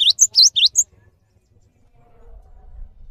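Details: Cinereous tit, kept bird singing steadily, recorded as a tutor for training other songbirds: three quick high phrases of sharp whistled notes with downslurred swoops, then quiet with faint low background hum.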